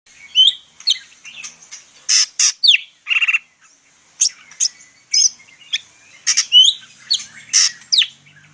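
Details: Greater green leafbird of the Medan type singing a lively, full song packed with imitated phrases: sharp high chirps, rising and falling whistled slides and short buzzy bursts in rapid, irregular succession with brief pauses.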